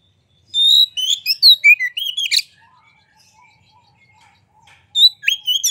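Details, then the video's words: Vigorously singing Oriental magpie-robin, tail opened, played to stir other magpie-robins into singing: a bright run of varied whistled and scratchy notes, a quiet gap with faint soft notes, then a new loud phrase begins. "Pancingan Suara Kacer Gacor Buka Ekor! Buat Kacer Lain Pasti Ikut Emosi Gacor Ngobra"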